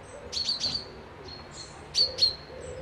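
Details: Birdsong by a loch in Dundee during a midweek break: two clusters of piercing high chirps, each a quick double note, with soft low cooing in between.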